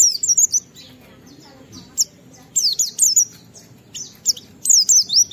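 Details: Oriental white-eye in full clear song, ngalas style, used to coax other white-eyes into singing: sharp high warbled phrases at the start and end, with a quieter stretch of scattered faint chirps in the middle.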